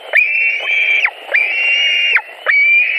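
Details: At a white-tailed eagle nest in Latvia, July 2020, with fish brought in: three loud, sustained, shrill whistles, the first two near a second long, dropping sharply at their ends.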